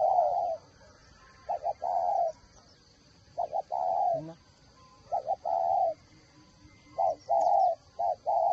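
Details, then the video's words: Spotted dove, a decoy bird of the whistle-voiced type from Ba Vì, Hanoi, Vietnam, giving mellow cooing phrases: a couple of short notes followed by a longer drawn coo, repeated about every two seconds, with a faint voice mid-way. "Chỉ bán cho người cần chim mồi hay con giọng còi"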